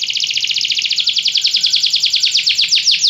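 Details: Belgian canary song used to train other canaries: a fast, steady trill of bright high notes, roughly three or four per second, running evenly for three seconds with slight downward slurs near the end.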